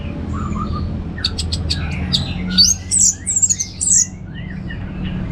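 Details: Ngeplong-style singing from an orange-headed thrush. Soft low slurs lead into a mix of high, sharply rising and falling whistles, delivered in uneven bursts with brief pauses, low hum underneath.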